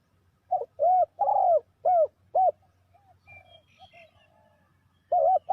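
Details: Decoy spotted dove call for luring wild doves into traps: a run of five loud arched coos, soft distant bird notes in the gap, then the phrase starting again.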